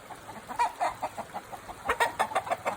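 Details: Chicken at the Takumi no Yakata forest aquarium in Japan, giving quick, clipped clucks in an uneven series with a louder burst near the two-second mark, against a steady faint background hum.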